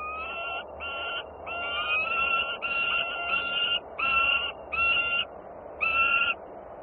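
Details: Peregrine falcons at a nest in Włocławec, Poland, on 30 June: a series of harsh, nasal, drawn-out calls about half a second each, given in quick succession with short gaps, over a steady low background hum.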